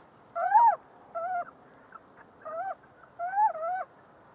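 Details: Little owl (Athene noctua) calling in a series of short, wavering, slightly nasal notes, four phrases in about four seconds, over faint background hiss.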